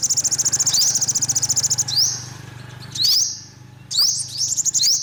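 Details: Olive-backed sunbird opening with a fast buzzy trill of rapid high ticks, then separate rising upslurred sweeps each ending in a thin sustained note, over a low steady hum.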